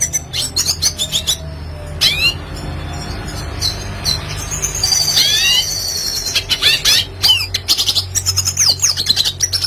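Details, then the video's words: Red siskin in constant song, offered as tutor material for training songbirds: bursts of rapid high chirps and sweeping whistled notes, separated by short gaps, over a faint low hum. "Red Siskin Klasik Gacor Cocok Untuk Masteran Burung Bahan Agar Cepat Bunyi"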